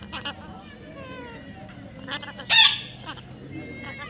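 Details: Baby parrot giving one loud, harsh screech in the middle, with faint thin whistled notes before and after it.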